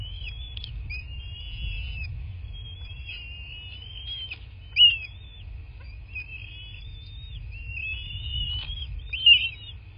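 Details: Bald eagle at a nest in a quiet landscape in southwest Florida, 8 March 2024 at 11:00, picked up by a nest camera: thin, high whistled chirps and slurred piping phrases repeat through the clip over a low, steady rumble.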